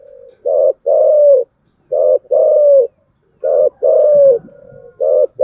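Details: Spotted dove giving a thổ-style chiêu gù coo: a quiet lead-in note, then a short coo followed by a drawn-out, gently falling coo, repeated three times over a few seconds.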